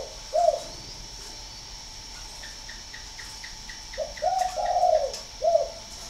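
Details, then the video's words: Spotted dove from a northern Vietnam breeding farm in Ba Vì, Hanoi, giving a single coo, then a full phrase of short, long rolling and clipped coos, while a faint series of high ticks repeats steadily in the background. "chim cu gáy hay 88 miền bắc"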